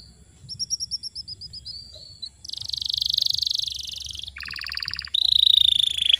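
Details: Domestic canary singing a 'pancingan' lure song meant to trigger silent canaries: a run of high rolling notes, then a dense buzzy trill, a lower rapid rattle and a bright sweeping whistle, with phrases changing every second or two.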